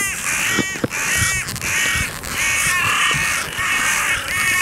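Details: Carrion crows flying in to greet the person feeding them grain on a clifftop, where some 60-80 gather; loud harsh caws overlap almost continuously, with several birds calling at once.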